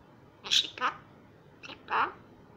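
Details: Young female common myna in Israel, a wild bird considered invasive there, rescued after falling from the nest and raised indoors, practising Hebrew speech: four short, raspy, speech-like syllables in two pairs, high-pitched, in a quiet room.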